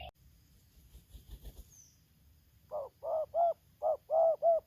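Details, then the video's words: Spotted dove in Lampung, decoy against a wild bird: after quiet low rustling, a rapid run of six short, evenly spaced coo notes. "Aksi Pikat vs BL Idaman suara tarik akar selang nguku"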